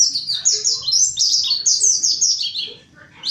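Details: Lure recording of a mountain white-eye in full wild-style song: rapid high twittering of short downslurred notes strung tightly together, pausing briefly near the end before a final rising note.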